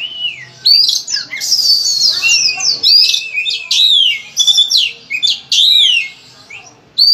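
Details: Energetic Oriental magpie-robin song, kacer style with many imitated phrases, played to encourage other birds to sing: dense series of swooping whistles and quick chirped notes, nearly continuous, with a soft hum behind.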